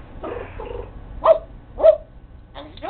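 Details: Pet parrot talking indoors, producing a few short voiced word-like syllables, then two louder clipped calls about half a second apart, followed by fainter rising notes at the end.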